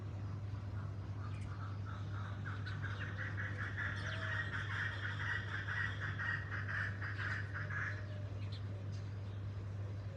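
A chukar gives a rapid run of clucking chuk notes, about two per second, over a steady low mechanical hum.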